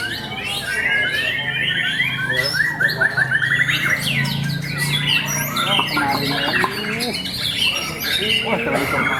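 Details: Caged white-rumped shama at a bird club's 25th anniversary contest, singing a song of imitated small-bird phrases: rapid whistled notes, trills and sweeping chirps, with other birds, a low hum and voices in the background.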